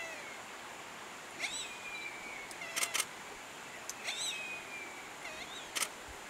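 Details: A harpy eagle chick in the nest gives thin, high whistled calls, faint and spaced out, as it practises its first vocalizations, with camera shutter clicks between.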